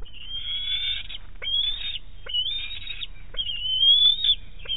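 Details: Young bald eagle squealing at its Big Bear nest on 7 May 2018 as an adult female brings or eats a large fish. Four drawn-out, piercing squeals, each about a second long, rise slightly and are separated by brief pauses.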